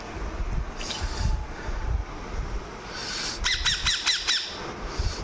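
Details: Pet ringneck parrot, with people speaking Bengali nearby; a short burst of about five harsh, rasping squawks repeated quickly near the end, over low rumbling background noise.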